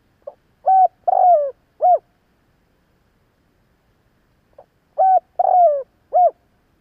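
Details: Spotted dove giving two matching cooing phrases about four seconds apart, each a soft short lead note followed by three hollow coos with a drawn-out wavering middle note; no other sounds.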